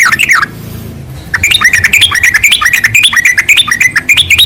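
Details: Yellow-vented bulbul song from a training recording meant to get other bulbuls singing: a brief low pause, then a fast bubbly run of short whistled notes that dip and rise, tumbling on without a break.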